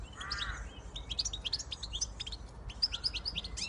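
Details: Siskin x goldfinch hybrid opening with a short nasal wheeze, then a quick, continuous run of high chirps and twittering notes, steady low hum in the background.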